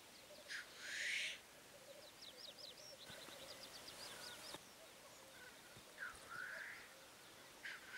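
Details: Black grouse making two rushing, sneezing hisses about five seconds apart over a continuous low bubbling coo, with high ticking calls from other birds and a few brief thumps.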